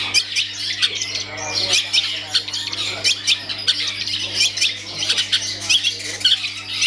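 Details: Song of a caged long-tailed shrike in full performance: a busy, uneven jumble of scratchy squeaks, rasps and short whistles, loud then softer in irregular waves. A steady low hum runs throughout.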